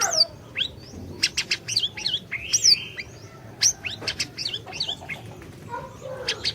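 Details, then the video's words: Orange-bellied leafbird singing actively, a recording meant to lure a silent bird into song: rapid varied phrases of high whistles, steep downslurs and upsweeps, and short sharp chips, with brief pauses between bursts. "Masteran Burung Siri Siri Gacor, Cocok Buat Pancingan Burung Siri Siri Macet BUNYI"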